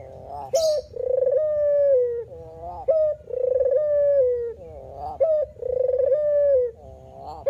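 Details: A male puter (spotted dove) sings its manggung coo. Each phrase opens with a quick rising note and runs into a buzzy, rolling coo that ends in a gentle fall. Four phrases come at fairly steady intervals, with a brief hiss near the start.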